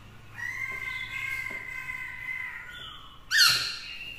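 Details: Fairly quiet Black-throated laughingthrush song meant to incite rivals, a female kept nearby: a long, level whistled note with overtones, then a short loud harsh burst, over a background hum.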